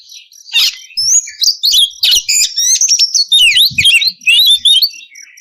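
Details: Oriental magpie-robin in full clear-voiced song used to coax untrained birds into replying: rapid, varied high whistles and buzzy trills, with sweeping notes and chattering bursts following one another almost without a break.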